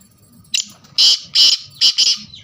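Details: Loud black francolin phrase: a short opening click, then four thick, rasping notes, the last two closely paired, in just over a second.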